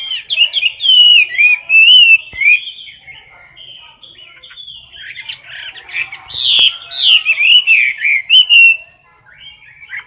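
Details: Chinese hwamei kept in a cage, filmed up close while singing in competition style: long, continuous run of loud whistled, warbling phrases rising and falling, with a few sharp clicks and brief quieter gaps.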